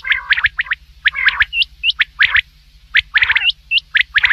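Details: Night calling of common quail: clusters of crisp rising notes, often in triplets, alternating with lower nasal notes and repeated roughly once a second.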